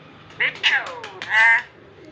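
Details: Talking parrot mimicking human words loudly and clearly: several quick, harsh, speech-like syllables followed by a sustained, strained, high vowel lasting about a third of a second.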